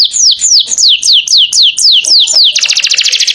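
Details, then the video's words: Energetic canary song: a series of clear, downward-sweeping whistled notes repeated about three times a second, then a fast, rattling high trill. "Burung kenari gacornya kelewatan"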